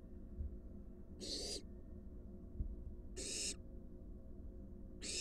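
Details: At a wild barn owl nest box, an adult arriving with a large rat for its fledgling; harsh screechy hisses roughly every two seconds, three bursts, the last cut off.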